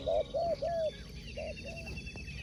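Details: Spotted dove, a sport dove kept for song competition, giving a cooing phrase: three loud, mellow, slightly wavering coos in quick succession, then two softer coos after a pause. Faint high bird chirps and steady background hum.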